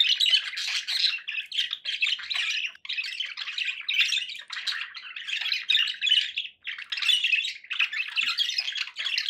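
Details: Domestic budgerigars in a long, steady run of scratchy, warbled chatter and chirps, with two short breaks in the stream.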